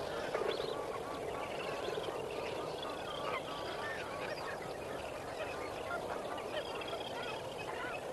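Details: Chorus of lesser flamingos calling at sunrise, Kamfers Dam, 18 May 2024: overlapping honking and gabbling notes from many birds, with a constant roar-like background from the crowded flock.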